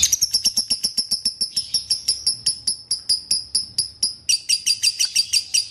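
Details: Leafbird song played to prompt a leafbird to sing again: rapid series of sharp high chirps repeated about four times a second, then a denser, buzzier trilled phrase near the end.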